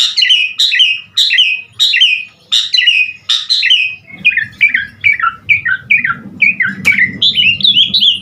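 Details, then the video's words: Asian pied starling singing vigorously, full isian, as a lure for other starlings: regular paired whistled notes about every half second, shifting to a faster string of quick chirps and rolling phrases, with faint low rumble later. "Suara Jalak Suren GACOR Full Isian Buat Pancingan Segala Jenis Burung Jalak Agar Cepat GACOR Isian"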